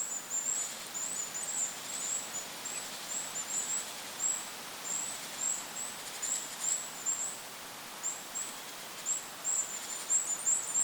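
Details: Forest Goldcrest by a lake giving long strings of tiny, piercingly high notes, nearly continuous with brief pauses, over a steady breath of wind.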